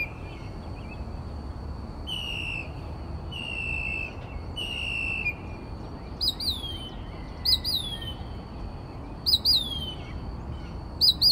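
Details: Texas northern mockingbird singing through the night at 4 am; three drawn-out buzzy notes about a second apart, then sharp high down-slurred chips repeated in pairs, against quiet background hum.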